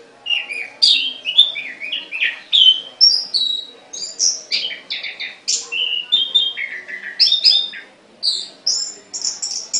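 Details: Caged songbird in sustained, lively song: rapid sequence of varied high whistled notes and slurs, pulsing about twice a second without pause.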